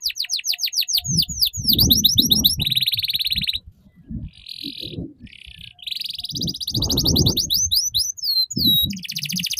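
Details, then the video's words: Canary tutor song, played so young canaries learn the ngeriwik style: rapid runs of falling whistled sweeps give way to buzzy rattling trills, then more sweeps and a high fast trill, over low thumping bursts. "Suara PANCINGAN KENARI Paud Agar Cepat Belajar Bunyi Ngeriwik"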